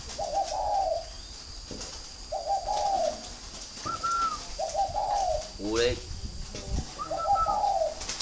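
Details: Northern Vietnamese spotted doves kept at a Ba Vì, Hanoi breeding farm, repeating short, hoarse cooing phrases about every 1.5 seconds, with an occasional higher clear note. A brief rasping noise interrupts midway.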